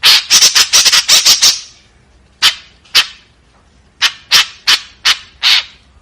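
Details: Harsh 'tembakan kasar' notes of a white-breasted woodswallow. A quick cluster of raspy calls opens, then single grating notes come at irregular intervals of about half a second to a second.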